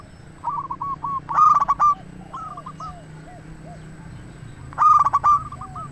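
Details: Zebra dove of local stock singing to lure others into answering; a soft coo series leading into a loud harsh burst, softer falling coos, then another loud burst about 3.4 seconds later.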